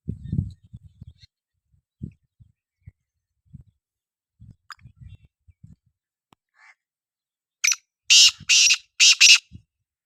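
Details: Low thumps and handling noise at first, then a black francolin's grating call of about five rasping notes, the later ones loudest and longest.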